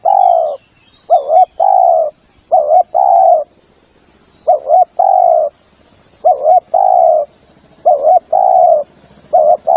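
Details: Spotted dove calling to lure other birds, repeating a phrase of a quick double-humped coo followed by a long level coo, roughly every two seconds, over a thin, steady high hiss.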